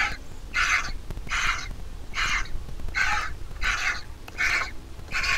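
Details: Hungry vulture nestling begging during feeding by its mother at the nest: a run of about eight raspy, scratchy cries, fairly evenly spaced, with a soft rumbling backdrop.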